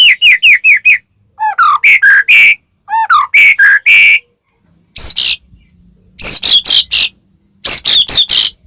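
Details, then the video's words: White-rumped shama song for goading other shamas into singing, delivered in short clusters of three to five sharp whistled and chipping notes, separated by brief silences. "murai batu gacor AMPUH buat PANCINGAN murai batu agar bunyi JADIKAN burung murai gacor EMOSI"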